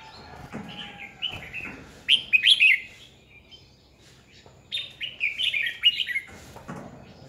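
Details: Red-whiskered bulbul singing as a decoy to train and provoke other bulbuls; two lively phrases of rising, slurred whistles and chirps, with soft knocks and low background sounds between them.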